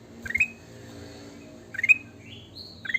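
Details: Sooty-headed bulbul singing actively, giving short bright whistled phrases that rise quickly, three bursts spaced about a second and a half apart, with a softer sliding whistle between them.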